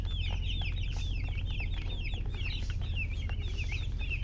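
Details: Baby chickens chirping busily, a dense stream of high, downslurred peeping notes overlapping one another, several chicks calling at once over a steady low rumbling hum.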